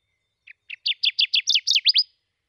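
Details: Song of the rare, near-threatened Kirtland's warbler (Setophaga kirtlandii) at Stephan Bridge Road, Crawford County, Michigan: a loud, emphatic burst of about nine chips that quicken and climb in pitch, ending in sharp slurred notes, over a quiet background.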